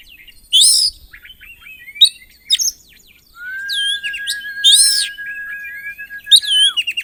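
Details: Oriental magpie-robin singing 'isian' fill-in song to spur other kacer: harsh harmonic bursts and short twitters, then a long level whistle lasting nearly three seconds beneath further loud bursts and chatter.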